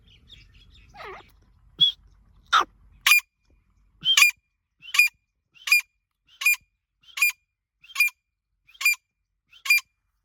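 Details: Female grey francolin (gora teetar) calling: after a few scattered, uneven notes, loud sharp harmonic calls repeat steadily about every 0.7 seconds, nine in a row, against a quiet background.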